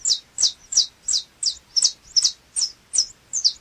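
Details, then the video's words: High, clipped chip notes from a saffron finch (canário chapinha), spaced evenly about three per second and sounding strong and crisp. "Canto do canário chapinha"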